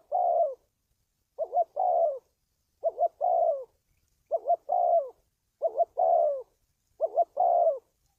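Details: Repeated spotted dove call for decoy training and trapping lures: a long falling coo, then five regular phrases of a quick two-part rising note followed by a sliding downward coo, roughly one and a half seconds apart, in silence.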